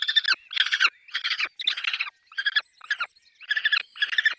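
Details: Peregrine falcon at its nest with chicks: harsh, raspy squawking bursts come in quick succession, each short and broad, with brief gaps between them.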